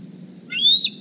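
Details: One rising, thin whistled squee from bald eagle juvenile D36, tagged with a GPS transmitter, come back to the Decorah nest in the morning hungry for a meal; constant low hum underneath.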